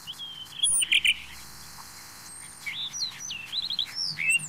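Blue Rock Thrush singing clear, high whistled phrases: a brief burst of notes, a pause, then a quick run of swooping, looping whistles.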